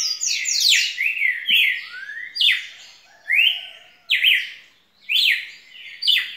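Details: Song of a red-cowled cardinal: a busy run of overlapping whistled notes, then strong separate phrases repeated roughly once a second, each rising then dropping steeply.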